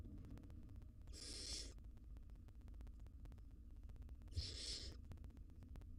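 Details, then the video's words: At a monitored nest box, a wild barn owl mother feeds nestlings; two rasping hiss bursts roughly three seconds apart, with constant low electrical hum and ticking in the background. "Barn owl Mom feeds her nestlings."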